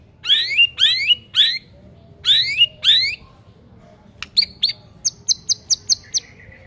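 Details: White-rumped shama song as a lure for shamas that have stopped singing: five swooping downslurred whistles in two groups, then sharp clicks and a quick series of six high ticking notes.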